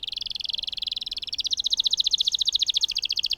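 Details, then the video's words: A vocal canary delivers a long rolling song meant to coax quiet canaries into singing: one unbroken, very rapid high trill that climbs slightly in pitch midway and keeps a steady pulse to the end. "Burung Kenari Gacor Ngerol Panjang Untuk Pancingan Kenari Macet"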